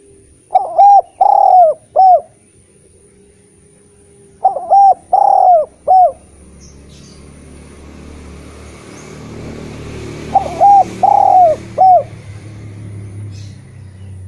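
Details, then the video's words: Eurasian collared dove song played to coax lazy spotted doves into singing: three bouts of soft, hollow, three-part cooing, each bout separated by a few seconds, with faint rural background rumble building toward the end. "Derkuku gacor cocok untk memancing tekukur bahan yg malas bunyi N menjadi Masteran derkuku terampuh"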